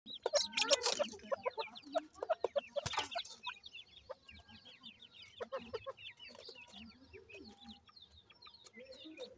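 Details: Captive grey francolin (teetar) chicks being raised in housing, giving a dense chorus of high, thin downward-sliding peeps from several birds, with loud clattering knocks early on.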